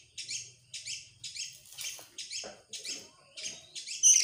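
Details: Oriental magpie-robin (kacer), excited and opening its tail, in loud 'gacor' 'nembak' singing: eight short, harsh, buzzy high bursts repeated about every half second, each a rapid crackling chatter, with a brief bright whistle at the end.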